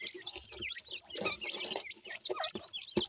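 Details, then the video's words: Numerous francolin chicks peep in high, slurred notes that overlap closely, with some knocks and scuffling sounds. "teetar bird chicks ki sound"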